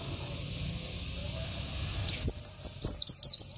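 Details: Local Oriental white-eye singing a gacor isian song meant to provoke rivals and tutor birds: after quiet, a rapid run of high, thin, downward-slurred chirps repeated about three per second.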